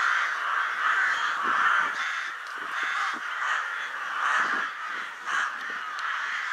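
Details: A huge winter gathering of rooks over Ottakring cemetery in Vienna shortly before dusk fills the air with a roaring wall of raucous caws, individual calls pulsing above the din.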